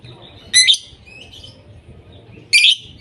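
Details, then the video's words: Lovebird giving two loud, shrill, harsh screeching chirps about two seconds apart, with soft thin twittering between them over a faint low hum. "Love Birds Sounds"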